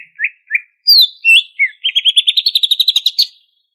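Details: Banyuwangi greater green leafbird in full ngentrok song, packed with fill-in phrases. Short down-slurred whistles and high swooping notes lead into a fast, even run of buzzy chattering pulses that climbs slightly in pitch.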